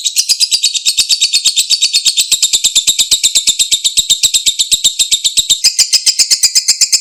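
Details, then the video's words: Lovebird 'ngekek' song, meant to restore singing in a lovebird that has gone silent: an unbroken, high, buzzing rattle of quick repeated pulses lasting the full seven seconds, brightening slightly near the end. "MASTERAN LOVEBIRD MACET, BISU KEMBALI NGEKEK PANJANG, PANCINGAN LANGSUNG NYAUT"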